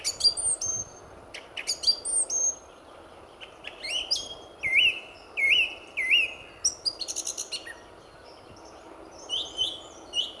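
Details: Before sunrise on a February 2014 morning at RSPB Fowlmere, a male song thrush sings heartily: a bright whistled phrase given three times in a row, between scratchy bursts and high twittering notes, over a low steady background.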